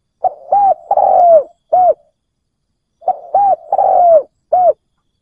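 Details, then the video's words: Spotted dove kept as a decoy and calling to draw in wild doves, giving two loud cooing phrases. Each phrase has two short hollow coos, a long slurred descending coo and a clipped closing note, with a pause between phrases. "Cu mồi gáy kích bổi cực nhạy dành cho bổi khó tính"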